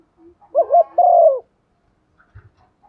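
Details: Spotted dove kept as a decoy to rouse other doves, giving one patterned coo phrase: a pair of short wobbling notes then a drawn-out falling coo, with faint clicks afterward.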